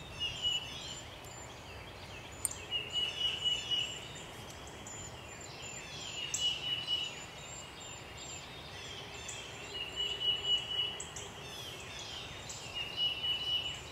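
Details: Eastern phoebe recorded March 28, 2017 at Clyde Shepard Nature Preserve, repeating a short raspy, buzzy phrase about every three to four seconds, four times, with high thin notes of other birds and constant background hiss.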